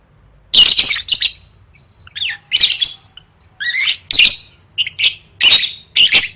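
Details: Lovebird kept for singing-competition training, heard in a 'gacor' lively chatter: harsh, buzzy high-pitched bursts of rapid chirps, each lasting about half a second, separated by short pauses, with a faint low hum underneath.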